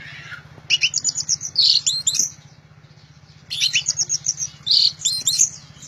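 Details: Orange-headed thrush singing loudly and persistently: two dense bursts of rapid, varied high-pitched phrases mixing chattering trills and sharp whistled notes, split by a short pause, over a constant low mechanical hum.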